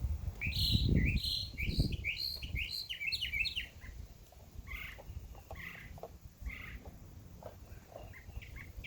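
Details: Several birds chirp in a summer backyard: a busy burst of rapid high chirps at the start, then softer scattered notes over low rumbling background noise.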